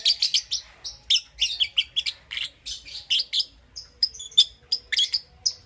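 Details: Pet lovebirds, Parblue Euwing Green Opaline and Green Opaline, heard in the morning giving a steady stream of sharp, high chirps, several per second, mixing clipped notes and short squeaky whistles.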